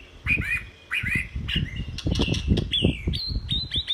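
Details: White-rumped shama song meant to tutor other birds. Looping, rising whistles and bright fluty notes run without a break, over steady low thumping in the background.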